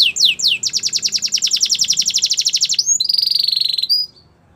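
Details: Belgian canary singing in the morning: a few quick down-slurred notes, then a long fast rapid trill of sharp repeated notes, switching to a steady high buzzy tone before ending.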